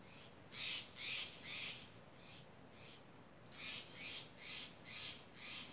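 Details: Noisy crows in a commotion in misty mountain redwoods, a hawk sitting in one of the trees; rapid runs of harsh, grating caws, several per second, rise and fall against a steady backdrop of wind.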